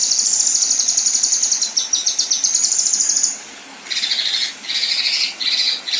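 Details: A female Kinoi gives a rapid, high, ticking trill for about three seconds, then switches to harsh buzzy rasping bursts in its rough 'tembakan kasar' style.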